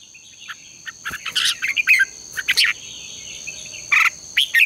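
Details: Red-whiskered bulbul singing in the morning for contest training: rapid chirpy warbles and short slurred whistles in uneven bursts over a constant high hum.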